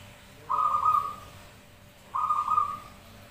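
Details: Zebra doves answering each other in song for luring: two even, fast-trilled cooing phrases of under a second each, separated by a short pause, over a quiet background.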